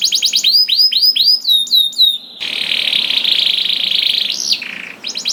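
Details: Canary song used as a master recording to prompt other canaries to sing: rapid repeated downward-curving whistled notes in fast series, then a long buzzy trill and a rising-falling whistle.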